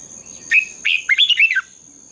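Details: Red-whiskered bulbul in competitive dawn singing meant to stimulate other birds: one short chirp, then a quick warbled phrase of slurred, rising and falling whistles lasting under a second, over a thin constant high whine.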